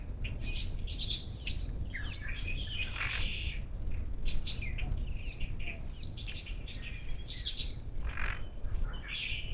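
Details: Wild monk parakeets at a Gulf Coast bird feeder on the outskirts of Houston, Texas, 10 March 2021; dense, harsh squawking chatter from several birds throughout, short scratchy notes overlapping over steady low background rumble.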